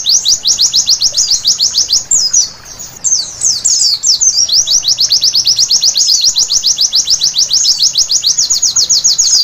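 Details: White-eye at night pouring out a long, fast string of shrill high notes, with a brief pause and a jumbled twittering phrase partway through, then resuming its rapid, steady rhythm.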